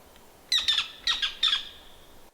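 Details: Eared Quetzal near its nest in high-elevation mixed-conifer forest of the Sierra Madre Occidental, Chihuahua, Mexico, in August, gives its flight call: harsh, squealing high notes in three quick bursts, the first two doubled, over about one second; faint hiss.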